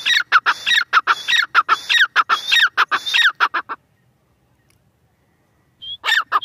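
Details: Grey francolin, called teetar or dakhni teetar, giving a loud, harsh, ringing call. It is a rapid rhythmic series of about fifteen sharp notes over nearly four seconds, then a pause before the series starts again.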